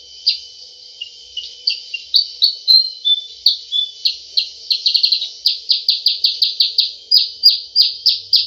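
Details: Sooty-headed bulbul 'cep cep' call for bird luring: varied high chirps and short whistles, a quick rattling burst midway, then a long, steady string of evenly spaced sharp notes, roughly three per second.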